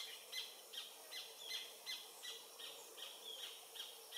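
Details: Adult Paradise jacamar (Galbula dea dea), sex undetermined, singing near the Comte (Oyak) river, French Guiana, 8 November 2023 at 11:00, recorded on a Panasonic FZ300; faint, high, sharp notes repeated steadily about every 0.4 seconds over a hissing background.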